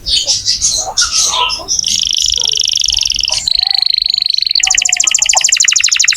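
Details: Canary singing hard to stimulate young or non-singing canaries. Scratchy chirped notes lead into a buzzy sustained tour, a clear level whistle, then a fast, even, rattling trill.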